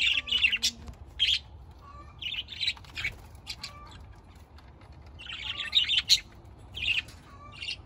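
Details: Budgerigar flock chattering in rough, buzzy squawk bursts mixed with thin rising whistles, busier toward the end.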